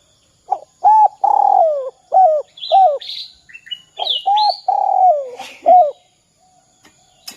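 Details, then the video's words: Spotted dove coo in the 'kuk 2' style, used to lure other doves into calling: quick hoots leading into a long downward-sliding note, repeated twice, with bursts of high chirping from other birds overlapping. "Suara Derkuku kuk 2"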